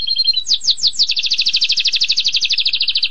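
A canary sings a bright, high rolling song: a few clear whistled notes, then swooping slurs, then a fast steady trill of rapid chips.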